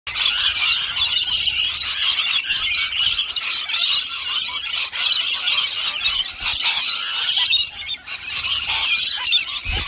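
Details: Rainbow lorikeets in a loud feeding frenzy at a bowl of nectar mixed from powder, honey and warm water: a continuous wall of shrill, piercing screeches and squeals from many birds, unbroken throughout.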